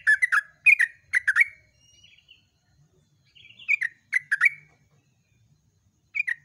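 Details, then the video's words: Yellow-vented bulbul at dawn singing the long chattering 'ropelan' song: rapid bubbly phrases, a soft thin whistled interlude, then renewed bursts of liquid notes, roughly a hundred note groups per minute. "LIVE SUBUH!!TRUCUKAN GACOR ROPEL"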